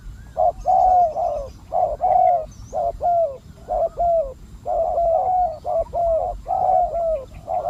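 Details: Spotted dove decoy for wild doves cooing in quick, uneven runs of low, husky notes, some drawn out, with little silence between phrases.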